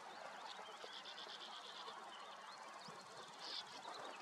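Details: Sand martins at Murton nature reserve give a steady chatter of dry, scratchy twitters, several birds calling over one another in quick bursts, with a soft outdoor hiss underneath.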